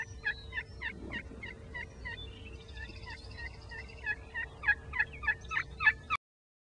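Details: A wild turkey in Iowa gobbles in a fast, rattling burst of throaty notes rising to a louder climax near the end, over a steady low hum.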